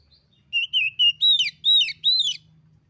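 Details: Female Oriental magpie-robin (kacer betina) calling to a male, used as tutor audio for reluctant captive birds: six clear whistled phrases, the first flat and wavering, the later ones rising then sharply falling, over a soft low hum.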